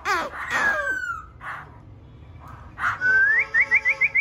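A laughingthrush sings rich whistled phrases: a long falling note, a pause, then a quick run of about six rising slurred whistles.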